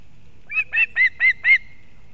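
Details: Osprey mother at a nest in Kurzeme, Latvia, bringing fish to her chick in late August 2024: five short, sharp whistled chirps in quick succession within one second, over soft low background hum.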